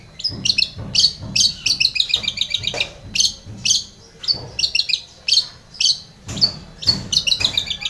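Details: Long-tailed shrike giving a continuous chattering song to lure a silent shrike into singing: dense high chirps and squeaky trilled phrases, repeated in rapid bursts with short gaps.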